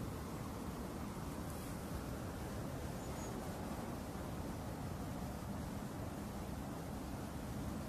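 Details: Steady, dense low rumble like wind, distant traffic or surf fills the recording, with no animal voice standing out.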